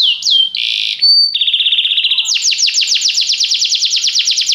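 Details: Canary song for training a canary to sing right away: a short swoop and buzzy tones, then a steady rattle, then a fast rolling trill of repeated notes.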